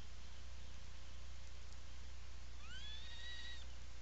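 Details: Atlantic puffin calling from its burrow at the Seal Island National Wildlife Refuge colony in Maine, July 2018 afternoon; after quiet hum, one short call sweeping upward then levelling, rich in harmonics.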